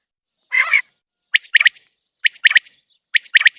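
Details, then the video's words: A common quail calls without a cage: one short nasal, buzzy note, then three sharp, clipped 'whit wit-wit' phrases at steady intervals of roughly one second, against silence. "Batair Ki Awaz | 3 best single Batair Ki Awaz pinjre se bahar | Common Quail Calling without cage"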